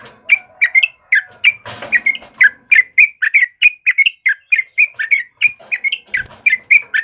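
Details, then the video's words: Yellow-vented bulbul singing a lively chatter of short, bubbly whistled notes, each dipping and rising, delivered in quick succession for seven seconds. A brief rustling noise breaks in near the start. "SUARA TRUCUKAN KEBO GACOR || Suara Burung Trucukan Kebo Asli Gacor"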